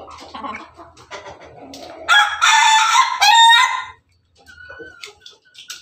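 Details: A red Ayam Ketawa rooster, the Indonesian laughing chicken breed, perched on top of its cage, gives a melodious crow: a loud, harsh burst lasting about two seconds with a short break near the end, after softer clucking notes.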